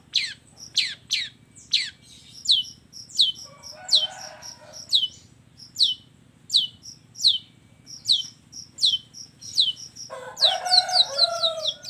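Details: Energetic long-tailed shrike song of mixed filler phrases (kombinasi isian): irregular sharp high chirps and downsweeps, a short scratchy burst midway, a harsh chatter at the end, and a steady pulsed high piping throughout.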